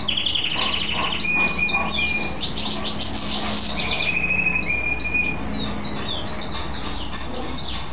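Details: Male mule goldfinch kept as a pet, singing after bathing: jumbled high chatter and quick twitters, mixed with a few steady, pure whistled notes held for about half a second, over a faint low hum.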